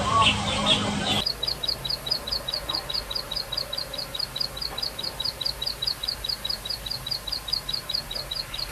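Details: Plain prinia in the wild singing a long, regular series of high, thin, clipped notes at about two per second, after a brief burst of mixed chatter at the start.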